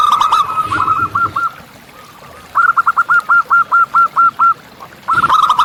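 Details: Local zebra dove calling in nature, a clean run of about ten evenly spaced short hooked coos after a blurred opening phrase, with a soft hush between bursts.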